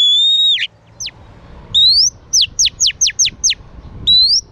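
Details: Female oriental magpie-robin song to stimulate males: a long whistle bending down at its end, a single falling note, then a rising whistle and a rapid series of six steeply dropping notes, another rising whistle following.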